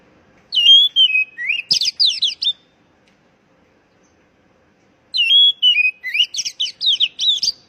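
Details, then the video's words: Lure recording of an Oriental magpie-robin for stressed young birds that no longer sing: a sliding whistle followed by quick, piercing chatter, repeated twice about four seconds apart, with quiet between. "panggilan kacer bahan stress macet bunyi"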